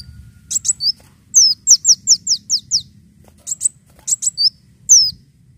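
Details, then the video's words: Leafbird lure call made of a rapid series of five or six high, falling whistled strokes, then scattered chirps and a final long downslurred whistle, with a faint low murmur behind. "PANCINGAN BUNYI KOLIBRI DAUN"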